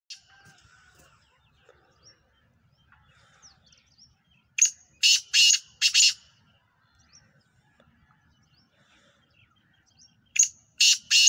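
Black francolin giving a loud, harsh, grating phrase of four rasping notes, then beginning it again; faint chirps of small birds fill the pauses.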